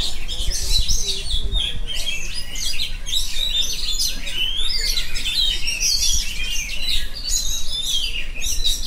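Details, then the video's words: Continuous 'ngerol' singing from an oriental magpie-robin: a busy, unbroken stream of shrill chirps, trills and clipped whistled notes that runs for the whole stretch. "kacer phonix ngerol abis"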